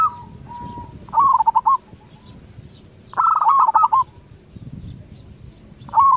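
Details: Local zebra dove song meant to prompt other zebra doves to reply: two rapid, bubbling coo phrases with clipped trills, a third starting at the end, and low background rumble between them.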